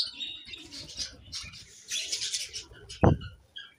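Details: Budgerigars described as happy in a new colony keep up a busy, twittering chatter with overlapping squeaks. A sharp knock sounds near the end.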